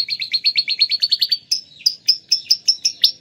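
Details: Atlantic canary imitating lovebird song, a fast chattering trill of high notes that slows into separate sharp chirps roughly every fifth of a second.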